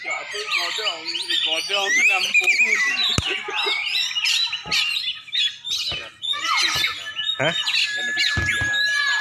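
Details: Black-and-white Oriental magpie-robin, a champion bird from Aceh, singing a crowded medley of whistles, trills and scratchy chirps, broken by several sharp clicks and knocks.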